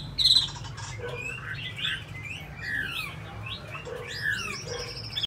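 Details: Tame caged Chinese hwamei from Hanoi, Vietnam, described as singing very well: a run of clear, varied whistled phrases, with slurred rising and falling notes and short sharp chirps, over a steady low background hum.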